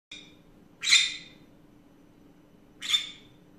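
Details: Pet green-cheeked conure ranting in the afternoon: a faint short note, then two loud, harsh, broadband squawks about two seconds apart, with a steady low indoor hum beneath.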